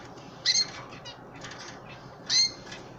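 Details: Hand-fed pet canary chicks and an older bird give two sharp, high, brief chirps about two seconds apart, with soft rustling and a constant low hiss behind them.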